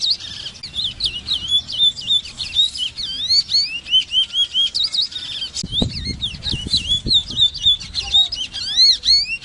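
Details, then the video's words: Continuous song of a Large-billed seed finch (congo): a fast stream of sweet, slurred whistles rising and falling, repeated in tight phrases, with a few soft low thumps midway. "SONIDO DE CANTO DE AVE CONGO (Sporophila crassirostris)"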